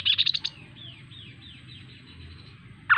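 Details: Kaso kaso bird giving a fast buzzy series of about six notes. Softer repeated downslurred whistles follow, then a sharp rising whistle at the end. Low hum in the background.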